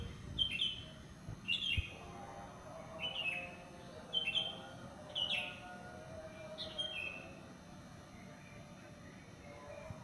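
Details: Bird singing at dawn after the subuh prayer in a residential complex: crisp falling chirps given roughly once a second for seven seconds, then stopping, over steady low background noise.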